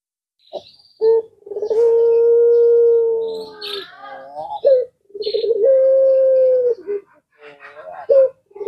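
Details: Two full phrases from a puter pelung collared dove, each a stuttering roll easing into a long, level, low note. Higher chirping from other birds overlaps the phrases.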